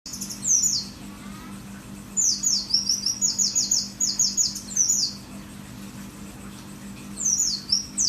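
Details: Mountain white-eye from Merapi, a caged songbird, singing a lively high 'wit wit wit' sequence: rapid, thin, descending slurred notes in bursts, with a steady low hum behind.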